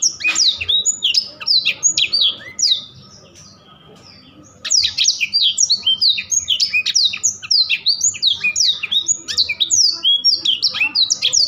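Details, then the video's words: Rolling, actively delivered Blackthroat song of fast, high, sweeping chirps and warbled whistles, broken by one short pause of about two seconds before a long unbroken run of bright notes. "BURUNG BLACKTHROAT GACOR SIRAJA NGEROL | BLACK THROAT BIRD SINGING"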